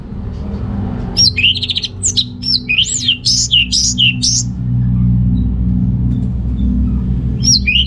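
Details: Orange-headed thrush (Geokichla citrina) singing as a lure for males low in breeding drive; a varied run of loud rising and falling whistled notes with harsh squeaky elements, over steady low rumble.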